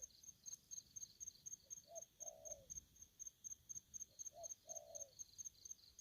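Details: Spotted dove in an aggressive mood gives two low coo phrases, a short lead-in note and then a longer throaty coo, with constant rapid insect trilling high above.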